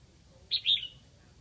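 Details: Single short phrase from a Lạng Sơn decoy red-whiskered bulbul calling to draw in wild bulbuls: a quick high chip followed by a bright, downward-slurring whistle, lasting about half a second against faint low noise.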